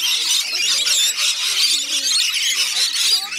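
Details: Many rainbow lorikeets in a feeding frenzy at a koala village on Magnetic Island, Queensland, screeching in a dense, shrill, nonstop chorus, with soft human chatter in the background.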